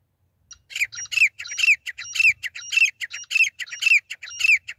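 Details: Female grey francolin call used to lure birds for hunting: loud, harsh squawking notes in rapid grating bursts, each ending in a short upslurred whistle, repeated about twice per second against a silent background.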